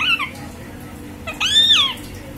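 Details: Green parrot making a short falling whistle, then after a pause a louder, sustained arching whistle that slides downward at the end, over a soft hum.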